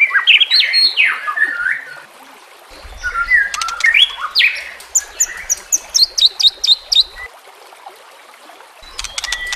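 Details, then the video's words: Song of a white-rumped shama for training, mixed with nature sounds and gurgling water: jumbled warbled phrases at first, then a quick series of sharp repeated high clicks, followed by quieter stretches of watery hiss. "Terapi Murai Malas Bunyi Dengan Pancingan Mewah Isian Terbaik"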